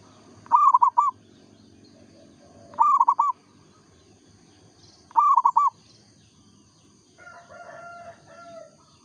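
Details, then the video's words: A local zebra dove in full song gives three loud, bright cooing phrases of four rolling notes, spaced roughly every two and a half seconds, then a softer drawn-out call from another bird closes the recording. "perkutut lokal gacor suara asli"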